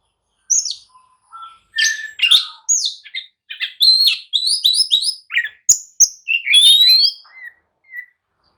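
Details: An oriental magpie-robin sings agitatedly to draw others into answering and fighting: a varied, fast medley of high chirps, buzzy notes and sliding whistles, with low whistles at the start and sharp clicks.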